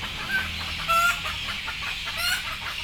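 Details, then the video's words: Sleepy, frightened chickens about to be put on board make short clucks and a brief squawk near one second, with more clucking near the end, over a hissing background and low rumble. "Sound of sleepy Chicken"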